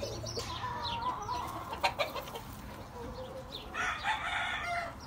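A White Kelso gamecock gives a harsh, drawn-out crow, then a second shorter one near the end, over steady background noise and a few clucks.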